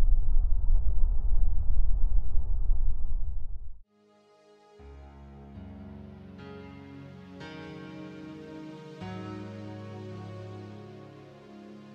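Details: A low rumbling roar for four seconds, then a short silence, followed by soft sustained ambient music with layered tones.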